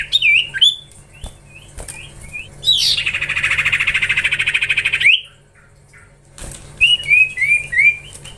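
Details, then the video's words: A young Common Iora (cipoh) under training gives scattered short whistled upslurs, then a long coarse buzzing trill lasting over two seconds, followed by a run of bouncing, descending whistled notes. "Gacorrr ngelatih cipow cipoh anakan"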